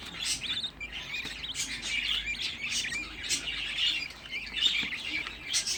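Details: Budgerigar chicks, sixteen raised together at home, give a busy wash of short, hoarse chirps and squeaks, fairly even in loudness, with brief sharper accents.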